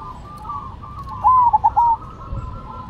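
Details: Perkutut, the zebra dove, cemani and silver birds in full song: one bright phrase of a short ringing note followed by quick stuttered coos, over a steady murmur of background dove cooing.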